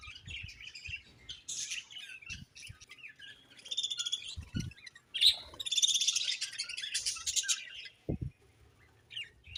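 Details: Budgies chirp and warble busily in rapid, scratchy, high twittering phrases that run almost without pause, broken by a few short gaps and a couple of low knocks.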